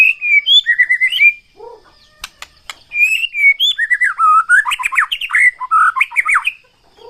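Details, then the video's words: White-rumped shama singing vigorously; bright whistled phrases sliding up and down, then fast varied chattering notes and quick trills, broken by a pause with sharp clicking taps. "MURAI BATU GACOR BIKIN NAIK EMOSI"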